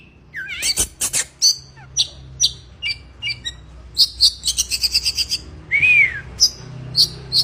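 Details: Oriental magpie-robin in breeding condition singing a varied run of sharp high chirps, bursts of rapid twittering trills and a clear rising-then-falling whistle near the end, with short pauses between phrases.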